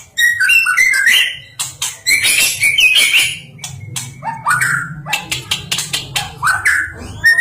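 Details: White-rumped shama, a national champion songbird, giving a rich, varied song of sweet whistled phrases and fast chattering notes, rising and falling quickly with short pauses, over a steady low hum.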